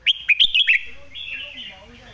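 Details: Red-whiskered bulbul master song phrase for tutoring birds: five loud, bright whistled notes in quick succession, each swooping up and down, fading into softer trailing warbles.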